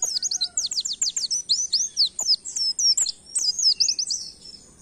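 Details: Oriental white-eye in full gacor song in canary style, used to stimulate songbirds to sing: a continuous run of rapid, high, downslurred and sweeping notes, loud and evenly spaced, with a faint steady hiss.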